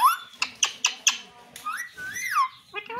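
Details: A pahadi parrot (Alexandrine parakeet) kept as a pet, saying "mummy": a few short clicky syllables, then harsh, speech-like rising and falling sweeps with a brief squeaky note at the end, heard indoors.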